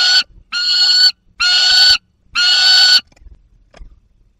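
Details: Young peregrine falcon with prey, alongside an adult, in the Barycz Valley on 30 August 2022: four loud, harsh, nasal wailing calls, each about half a second long, given in quick succession, then quiet.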